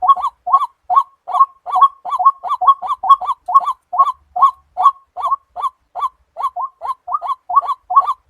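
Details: Repeated croaking calls of a white-breasted waterhen, or tikling, each note a short nasal upslur, spaced fairly evenly at about two per second, some paired closely together.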